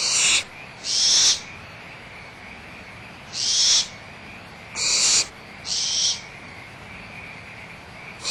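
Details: Young barn owls at Audubon Starr Ranch Sanctuary squabbling over leftover food, with the mother nearby: harsh, noisy hissing screeches about half a second long, five bursts at uneven gaps over a steady high background tone.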